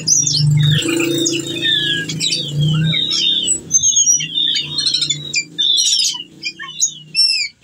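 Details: Whistling thrush (ciung batu) in breeding condition calling a female, singing long and full of varied phrases, a lure for other birds; rich bursts of whistled, warbled and chattered notes over a low steady hum.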